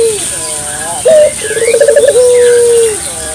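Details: Local collared dove with a clear voice, used as a lure for morning, noon and night: a soft lead-in, a brief raised note, a quick bubbling roll, then one long level coo fading downward.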